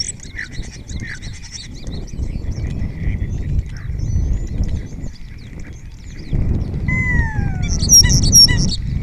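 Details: Spotless starling singing in Cabañeros National Park, Spain, answered by other starlings during the red deer rut: a varied jumble of high clicks, rattles and thin chirps, then a long downward-sliding whistle over low wind rumble.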